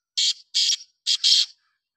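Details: Black francolin calling: four harsh, grating, broadband notes delivered in quick succession over about one and a half seconds, paired with short gaps, the final note the longest, against a quiet background.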